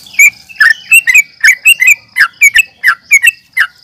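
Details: Nggaruda uplik tarung fighting call of a yellow-vented bulbul, used to stir rivals into answering: loud gurgling chirps that dip and rise, repeated more than once a second, with a thin constant whine behind.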